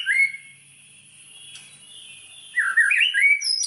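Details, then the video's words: White-rumped shama lure song: a brief whistled note, a quiet pause with a faint steady hiss, then a warbling burst of rising and falling whistles. "SUARA BURUNG MURAI BATU, PANCINGAN MURAI BATU BANGKITKAN EMOSI, AGAR BONGKAR MATERI"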